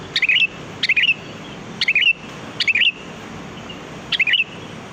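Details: Sooty-headed bulbul song used for luring birds: five lively bubbly phrases, each several quick whistled notes falling then rising, repeated roughly every second against light background hiss.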